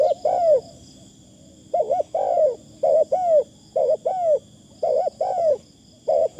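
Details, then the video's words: A spotted dove kept as a decoy gives soft, mellow coos in two- and three-note groups. A short pause opens the stretch, and a steady thin high drone runs throughout. "ต่อนกเขาใหญ่ เสียงดีมากคารมบางๆฟังแล้วเพลิน"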